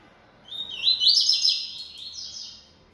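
A Bahia seedeater sings a quick, high twittering phrase of about two seconds, with bright chirps that slur together before trailing off. The background is quiet.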